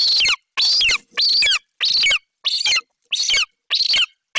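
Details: Excited golden eagle chick at a nest tree in Bucovina, July 2021, vocalizing over a Eurasian magpie its mother brought. Intense, raspy, high screams with downward slurs, repeated steadily about every half second.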